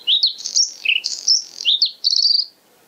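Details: A White-spotted Bluethroat (Luscinia svecica cyanecula) at Kølsen-Skals Engsø, 10 April 2020, sings a rapid, varied phrase of high chips, twangy notes and a fast trilled ending, all bright and sharp, with no other sounds.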